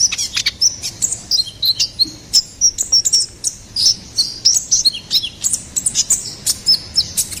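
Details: Ruby-cheeked sunbird singing in full voice as master material for songbirds: a steady stream of crisp, high-pitched chips and tiny whistled notes, some bending downward, repeated several times per second throughout.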